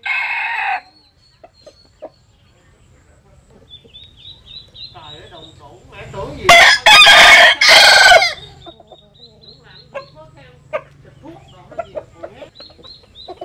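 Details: Jap Cuban bantam rooster sunning itself: a short harsh call at the start, quiet scattered clucks, then a loud crow of three long raspy bursts near the middle, followed by light clucking and soft chirps.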